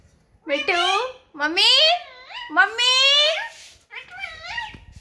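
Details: Indian ringneck parakeet, a pet talking parrot in a happy mood, enjoying the sun: four speech-like phrases with rich harmonics, rising and falling in pitch, sounding like words spoken in a small room.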